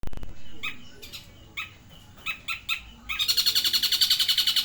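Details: Long-tailed shrike from Banyuwangi imitating the tengkek buto: a few short sharp chirps spaced about half a second apart, then a fast, buzzy rattling trill of rapidly repeated notes.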